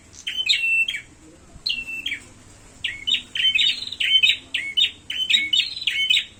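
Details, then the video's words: Prinia in a fight, calling with sharp chirps sliding down into short flat trills, sparse at first, then an unbroken run of quick repeated phrases; soft low hum in the background. "suara burung prenjak tarung"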